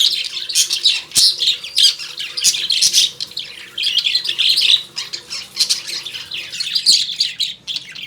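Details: Caged lovebirds indoors at home giving a steady stream of shrill, rasping chirps and squawks in bursts about every half second. Several birds overlap, with a faint low hum in the room.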